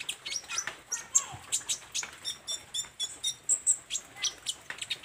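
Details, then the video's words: Olive-backed sunbird in vigorous song, practising its repertoire of fill phrases: high sharp chirps and ticks repeated in a steady rhythm about three times a second, with occasional thin whistles. "SUARA BURUNG KOLIBRI NINJA GACOR , BELAJAR BONGKAR ISIAN"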